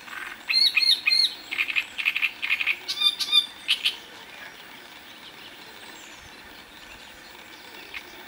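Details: Singing great reed warbler recorded in Moselle, France, delivering loud, harsh, chattering phrases of repeated croaking and squeaky notes in quick runs for about four seconds, followed by quiet with faint background birds.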